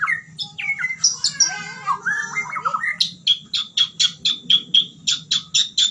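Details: Fighter-style White-rumped shama song: varied slurred whistles and twittering phrases, then a fast series of sharp, high, clipped notes repeated about twice a second, over a faint low background hum.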